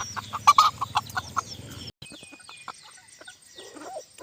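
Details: Bantam chickens on a hot day in the evening: a quick run of short, clipped clucks over the first two seconds, then a brief gap followed by fainter scattered clucks and soft chirps.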